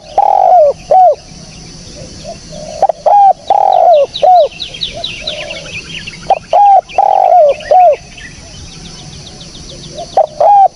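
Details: Clear spotted dove cooing used to lure birds: repeated phrases of clipped coos and a longer sliding croon, four groupings across the stretch, while small birds twitter faintly in the background.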